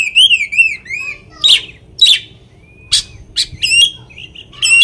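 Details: Oriental magpie-robin song played to agitate other magpie-robins: a quick rolling warble at the start, then widely spaced loud rasping bursts with a thin whistle and short chattering phrases.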